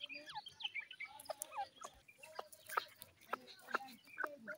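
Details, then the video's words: Grey francolin song: short, shrill, repeated whistled notes and clucks, with sharp clicks and other bird chirps around it. "Gray Partridge soung,gry francolin song"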